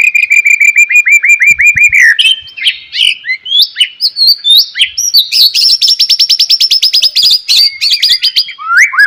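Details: Energetic white-rumped shama song at daybreak, meant to trigger singing in other shamas. A fast series of repeated downslurred notes gives way to varied whistles and a long rapid chattering trill.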